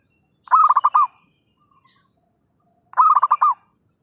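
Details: Zebra dove giving a trapping lure call: two rolling bursts of rapid, mellow coo notes about two and a half seconds apart, each phrase rising slightly then falling at the end.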